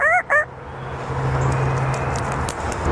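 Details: African grey parrot performing animal sounds on request, possibly its rooster imitation: two quick, loud, harmonic squawks in a rising-falling shape, followed by a steady low hum of room or engine noise.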